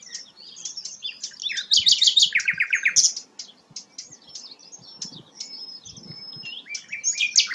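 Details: Rare sikatan londo in rich varied song: quick chattering notes, a burst of rapid buzzy pulses sliding into lower rolling trilled notes, then a string of thin high whistles and chips.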